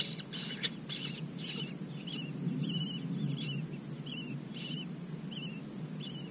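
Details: In a red-billed blue magpie nest holding four Asian koel chicks, harsh high bursts open, then softer, wavering squeaky notes repeat roughly every half second over low rumbling hiss.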